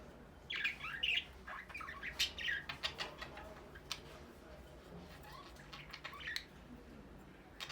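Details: Captive budgerigars, described as ready for breeding, open with lively twittering chirps and short warbles, then thin to sparse clicks and occasional single notes over a low electrical hum.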